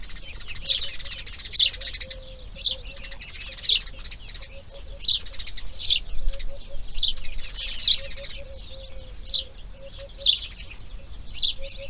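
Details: Grey heron chicks in the nest, second day of breeding, repeating thin high chirps about every second, sometimes doubled, against a low faint hum.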